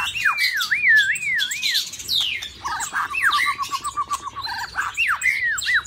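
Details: White-rumped shama in a cage in the mating season: a rolling series of wavy whistled loops, then a quick run of repeated short notes and a few upswept whistles.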